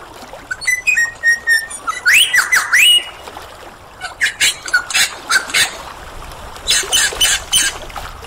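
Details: Superb lyrebird song with mimicry: short level whistles, a rising swooping whistle, then strings of loud harsh clicks and rattling bursts.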